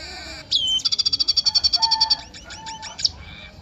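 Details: Eurasian tree sparrow giving a fast run of sharp, high chirps, about four per second, after an opening squeaky note, then a few scattered chirps; a faint, lower whistled tone runs underneath.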